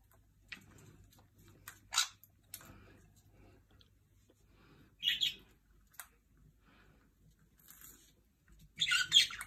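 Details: Jenday conures sharing bread give short, isolated bursts of harsh, high screeching squawks, several seconds apart, with quiet gaps and faint background noise between them.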